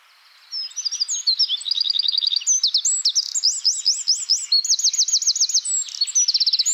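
Eurasian wren pouring out a loud, fast, high-pitched song of tumbling notes and rapid rattling trills, hardly pausing for over six seconds.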